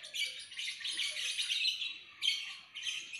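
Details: Lovebird chattering in dense, buzzy, high twittering phrases, broken by a short pause before resuming.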